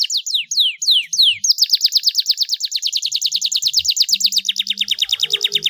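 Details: Starblue panda canary singing hard: four loud falling whistles followed by a long rhythmic trill of paired notes that shifts slightly lower toward the end, with a faint hum beneath.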